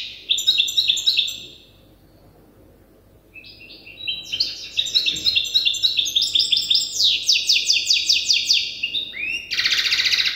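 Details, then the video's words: Young European goldfinch hybrid, still learning its song from an older hybrid, gives rapid twittering phrases of high, trilled notes. A quiet pause comes early, then a dense stretch of buzzy, repeated trills follows, ending in a harsh rasp. "تغريد هجين الحسون لازال في مرحلة الحفظ"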